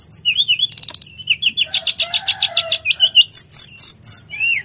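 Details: Sooty-headed bulbul singing actively, pouring out a long, rhythmic string of rapid slurred chirps about every fifth of a second, with a dry rattle early on and wavering whistled notes throughout over a faint background hum.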